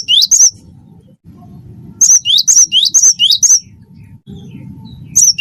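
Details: Gelatik batu wingko, a cinereous tit, singing steadily as a tutor recording: short bursts of repeated two-note phrases, high note and rising whistle, the longest run four phrases, separated by quiet gaps with low rumbling noise.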